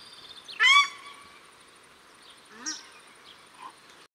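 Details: Male and female paradise shelduck at Cornwall Park, Auckland, New Zealand; one loud harsh honk opens, then a fainter lower call answers.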